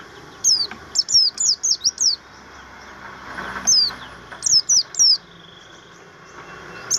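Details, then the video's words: Sharp, high whistled notes in a fast run of six, then quiet, then a second burst of four, from a buxtoni-type Javan grey-throated white-eye singing training-material song, with soft background rumble. "pleci buxtomi materi"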